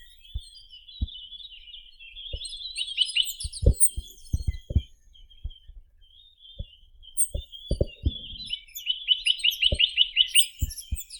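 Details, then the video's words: Song of the Chinese nuthatch (Sitta villosa): scattered high twitters build into a rapid run of about eight clipped, sharply rising notes near the end, among repeated dull knocks and tapping sounds. "Как поёт Поползень косматый (Sitta villosa)"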